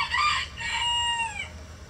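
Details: In a coop holding a mixed flock of egg-laying breeds, one chicken gives a drawn-out harmonic call. It starts strong, then slides gently downward and fades.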